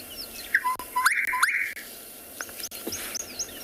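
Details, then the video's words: Gorgeous bush-shrike song played from a recording during a sunset game drive at Tswalu Kalahari Reserve, South Africa: two short low whistles followed by two longer, buzzier higher notes, with faint high chirps from other birds and a steady background hiss. "A few different variations there, the gorgeous bush shrike."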